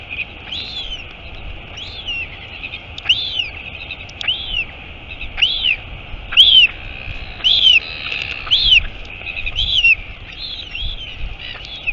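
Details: At Taiaroa Head near Dunedin, New Zealand, on 23 August 2022, a royal albatross mother arrives at the nest; sharp arched peeps come in a quickening series, nearly one per second, some overlapping, over soft hiss.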